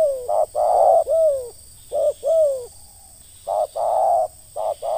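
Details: Spotted dove used in decoy trapping, giving its 'ngeruk' call: low, mellow cooing notes in short bursts, some with a sliding, falling tone, grouped in phrases with a pause near the middle. No other clear sounds.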